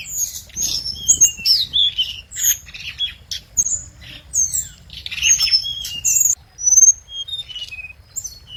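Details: Scarlet minivet song used as a lure: an energetic jumble of very high chirps, squeaky slurs and short whistles, repeated in dense phrases with brief gaps.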